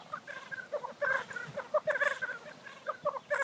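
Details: Black grouse displaying at a lek: a busy run of short, mid-pitched bubbling and cackling notes overlap one another almost continuously, with no long pauses.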